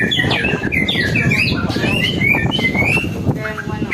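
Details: White-rumped shama song used to lure other birds into singing: varied whistled phrases, rising and falling in quick succession, over a steady low background hum.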